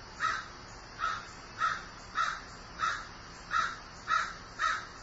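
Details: A grieving crow repeats its hoarse caw eight times across five seconds, notes evenly spaced and similar in tone, with only faint steady noise behind.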